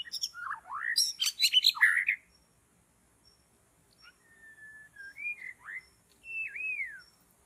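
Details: White-rumped shama singing in forest during bird trapping: a loud burst of dense, varied chattering notes, then a pause and a string of clear whistled phrases, some steady, some rising and falling.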